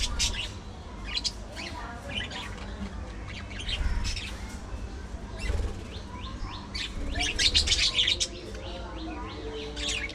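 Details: Budgerigars at afternoon feeding time, a flock chattering: dense bursts of short, bright chirps and twittering notes overlapping constantly, loudest near the end, with a steady low background hum.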